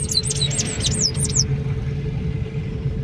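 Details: Sayaca tanager calling, 25 May 2024: a burst of high thin downslurred notes in the first second and a half, then only a steady low mechanical hum.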